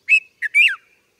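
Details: Red-vented bulbul giving three clear, ringing notes in just over a second: a steady whistle, a short chirp, then a longer note that rises and slides down at its end. No other sounds.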